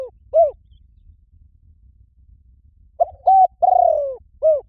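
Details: Spotted dove, its call used to draw in wild doves: single soft coos, then a full phrase of a short coo, a steady held note and a long descending croon, ending with another coo. Quiet low background hum.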